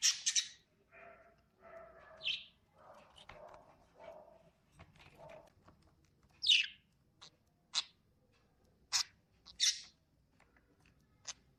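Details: Lovebird chirping: a few soft, low, chattering notes at first, then sharp, thin, high chirps in a sparse, irregular series.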